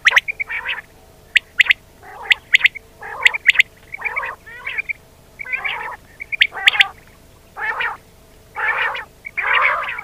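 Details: Pakistani recording of common quail for luring birds into nets: a busy series of hoarse, rasping bursts about once a second, with scattered sharp ticks.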